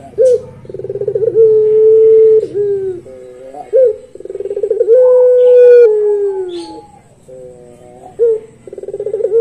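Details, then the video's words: Barbary dove of the puter pelung long-voice style cooing: repeated phrases of a bubbling rolled start and a long level tone that dips at the end, over a faint low hum. "Merdunya Puter Pelung Suara Panjang"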